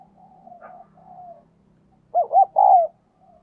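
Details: Lure spotted dove cooing: low, quiet drawn-out coos first, then a sudden loud phrase of two looping notes and a longer falling final coo.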